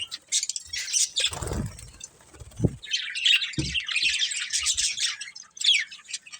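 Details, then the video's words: Budgerigars from a breeding pair chirping in high buzzy warbles and squeaks, mixed with a few low thuds and rustles, the chatter growing steadier in the second half. "Cute Budgies Chirping Sounds"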